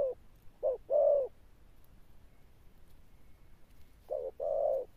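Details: Wild-caught Spotted dove giving a few deep Sấm Thổ coos. A short note and a long note are heard, then silence, then another short-long pair.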